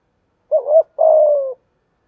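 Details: Spotted dove lure call for training doves: one phrase of a brief wavering note then a drawn-out, slightly falling coo, with a silent background.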